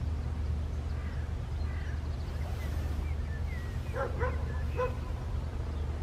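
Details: Western jackdaw at Landtong Rozenburg, South Holland, the Netherlands, on 27 May 2023, giving a quick run of short, harsh, nasal 'chak' notes near the end, over a steady low rumble of wind.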